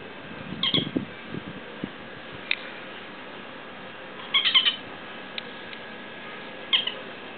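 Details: Two bird chicks in a backyard on Adelsgatan in Visby, Sweden, giving short high squeaky begging bursts in clusters at intervals, over steady background hiss with some low thumps.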